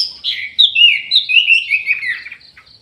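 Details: Orange-headed thrush kept in an aviary, singing actively: a rich, fast run of warbled and whistled notes sliding between high and mid pitches, continuous for about two seconds before trailing off.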